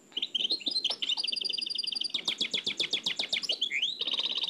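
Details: Nightingale from an old cassette, singing the Oued El Alleug style. Chirps build into a long, rapid trill of repeated notes, then slower, louder pulsed notes, with a rising swoop before another fast trill.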